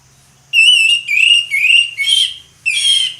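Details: Orange-headed thrush delivering ngeplong song: loud, sustained, clear whistled phrases, some held steady and some falling, in five bursts over three seconds, with a faint low hum beneath.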